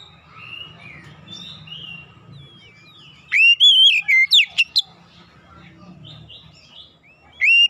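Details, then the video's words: White-rumped shama in captivity, with a soft, faint warbling start, then a loud burst of rich slurred whistles and sharp upswept notes, followed by another loud phrase at the end; low hum in the background. "KACER BISU MACET BUNYI LANGSUNG GACOR"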